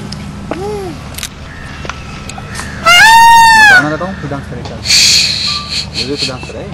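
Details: Peacock giving one loud, drawn-out, arching wail in the middle, with soft human voices and brief higher calls before and after.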